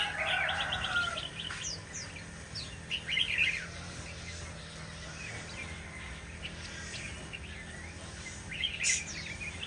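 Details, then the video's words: Shama delivering scattered bursts of varied whistles and chirps, a rich phrase at the start, then shorter sweeping notes spaced by pauses, a low hum underneath. "Beautiful Shama Bird"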